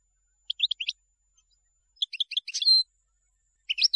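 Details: European goldfinch song for tutoring chicks: quick clusters of high tinkling chirps, a middle phrase closing in a drawn-out buzzy nasal note, then a final short twitter after a pause.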